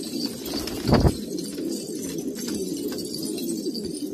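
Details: Pigeons of an old, pure Kabul breed in Afghanistan: low, soft cooing hum throughout, with a brief louder flutter or bump near one second and faint background noise.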